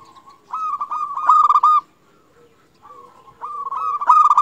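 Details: Local Indonesian zebra dove singing actively, used to lure and stimulate other zebra doves into singing: two bursts of rapid stuttering, pulsed coos on a steady mid pitch, with a softer lower hum between phrases.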